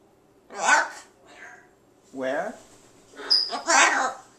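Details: A thirtysomething, presumed male pet ruby macaw gives three harsh, raspy squawks over four seconds, the last longer and rising, indoors while a person talks to him close by.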